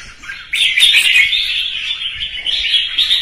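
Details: A red-whiskered bulbul gives morning and competitive fighting song, a dense, chattering run of bright, mid-high warbled notes that starts abruptly and carries on without pause.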